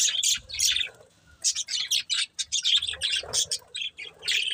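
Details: A budgerigar breeding pair giving short bright chirps in clusters, a pause around one second, then a run of quick squeaky notes and warbles.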